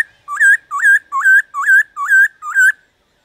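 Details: Black-throated laughingthrush singing a 'déo bổi' style song meant to stir other laughingthrushes into song: six loud whistled phrases, each rising then leveling, repeated about every 0.4 seconds in a quiet background.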